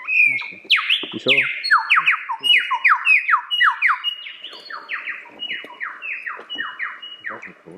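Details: A male lyrebird pours out loud, falling whistled sweeps, about two a second, mixed with clicks and rattling notes.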